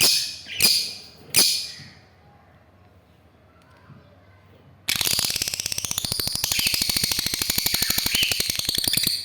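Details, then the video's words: A lovebird gives two sharp, shrill chirps, then after a pause bursts into a fast, harsh, buzzy chatter of rapid pulses lasting several seconds. "Love Bird Making Sweet Sounds"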